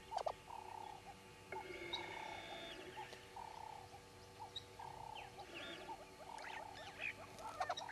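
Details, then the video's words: Red-billed hornbills at Djuma, 05:34 on 10/02/19, repeat short clucking phrases about once a second, while other birds chirp and whistle higher above. "Red-billed Hornbills"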